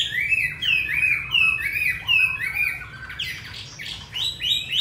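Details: Singing caged hwamei, Hanoi, Vietnam, with a fine wild voice: bright descending whistled slurs in quick succession, turning into harsher, rougher chattering notes toward the end.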